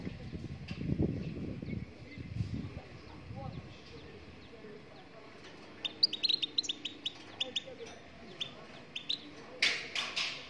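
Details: Moroccan goldfinch singing: after a few seconds of low rumbling noise, a quick series of sharp, high chirps runs through the second half, ending in a brief burst of rustling.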